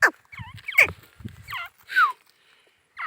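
A male grey francolin gives a run of shrill, ringing notes that rise and fall, five in about three seconds, over a few low thumps in the background.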